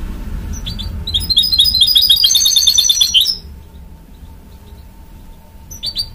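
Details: Goldfinch and canary cross (mule) delivering a fast, rapidly repeated high trill for about two seconds, then near silence before a few sharp chirps.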